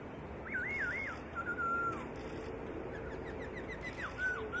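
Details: Master recording of white-rumped shama song for training birds: a looping whistled trill of rising and falling waves, then a level whistle, a run of faint quick chips, and a final slurred note, over hiss.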